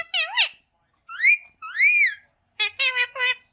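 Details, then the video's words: Green parrot talking: short harmonic, speech-like syllables, some rising and falling in smooth arches, others clipped and nasal, in three bursts separated by silent pauses in a quiet indoor setting. "Talking Green Parrot Bird Natural Sound"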